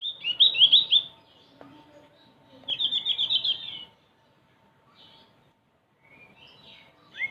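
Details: Male Javan grey-throated white-eye singing two bursts of rapid, high chirpy trills, each about a second long and separated by a pause, followed by softer scattered notes and a faint steady hum in the background.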